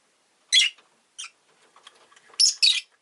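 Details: Scratchy, buzzy chirps from a rosy-faced lovebird, one loud call, a softer one, then a rapid double chirp, with faint quiet chatter in between.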